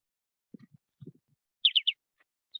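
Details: Short-billed dowitcher flight call at a wastewater treatment plant, 18 September 2021: a rapid burst of three high, slightly falling tu-tu-tu notes, preceded by a few faint low knocks, unlike the long-billed dowitcher's single high peek calls.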